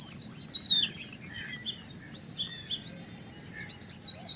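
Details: White-browed wagtail: a loud descending twittered phrase, then scattered high chirps and a short buzzy trill, ending in quick rising chip notes, with a faint low background hum.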